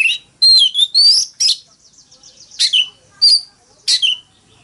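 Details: Oriental magpie-robin delivering a fighting song: a burst of sweet whistled slurs, then short sharp phrases spaced about every half second, each a high note dropping into a softer whistle.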